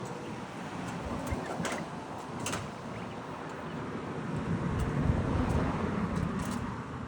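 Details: Steady rumble of passing traffic with a few sharp knocks and a door-like clatter, and no animal voice.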